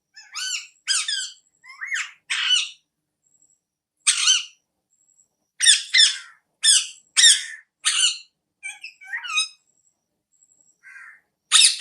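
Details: Parrot filmed with an iPhone, squawking repeatedly for about twelve seconds. Around fifteen loud, grating screeches come at irregular intervals, some doubled, with a few softer chattering notes between them and silent gaps.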